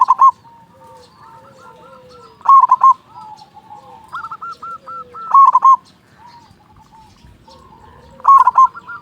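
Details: Local zebra dove with a big voice, sung as a lure to rouse quiet doves: loud stuttered coo bursts every few seconds, each followed by soft rolling trilled notes and a low drawn-out tone.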